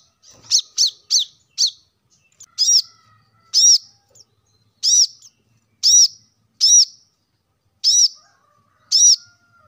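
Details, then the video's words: Plain-throated sunbird, played to stimulate caged birds to sing: sharp high chirped notes around 4–6k, first a quick run of four, then single arched notes spaced about one second apart, clean background. "kolibri kelapa | wiceh | manggar | cuitan korlap gacor untuk burung agar cepat rajin bunyi gacor"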